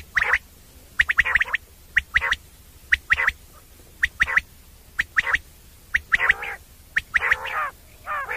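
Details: Common quail (batair) calling at night, used as a hunting sound: sharp high notes in tight pairs and triplets repeated about once a second, with some broader, rougher harsh notes near the end.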